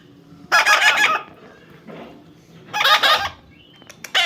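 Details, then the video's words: Parrot playing outdoors in a field; two loud, harsh harmonic bursts about two seconds apart, each lasting roughly half a second, with a faint short call between them and brief clicks at the end. "funny talking parrot compliment.Parrot Talking"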